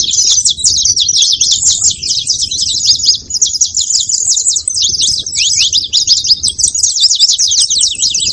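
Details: Continuous high-pitched chirping from saffron finches, quick notes overlapping in a busy chatter, with no other clear sounds.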